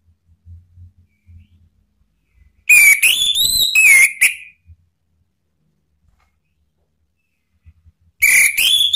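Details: Male orange-headed thrush singing freely, used as a lure to prompt other birds that have stopped singing; two bursts of loud, bright whistled phrases with rising and falling notes and quick slurred trills, separated by several seconds of near silence.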